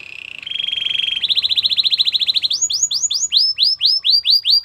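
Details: Belgian canary training song: a steady whistled tone, then a quickening high trill that slows into loud, evenly spaced down-swept notes about three per second.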